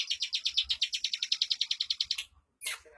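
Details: A captive bar-winged prinia in fast, tightly packed song: a steady run of about twenty quick buzzy chirps in two seconds, then a brief pause and one sharp note.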